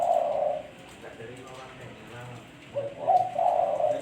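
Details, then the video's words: Spotted dove giving low, mellow coos: a long smooth note at the start, a quiet gap, then a rising pair of hollow coos at the end. "Suara Burung Tekukur Bersih-Suara Burung Tekukur Buat Pancingan"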